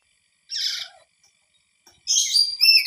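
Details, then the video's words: Startled parrot replying loudly to sounds from its surroundings and seeking their direction; two bursts of bright, harmonic chirping notes, the second longer and more rapid, separated by about a second of quiet. "Burung nuri terkejut membalas dengan keras dan mencari tau arah datangnya suara"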